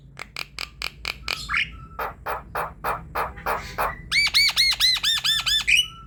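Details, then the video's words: Head-bobbing Javan myna in full chattering song, meant to coax a silent myna into singing: sharp clicks and a short whistle, a steady string of harsh buzzy bursts, then rapid, loud, ringing looped notes. "Jalak kebo gacor ngoceh manggut²"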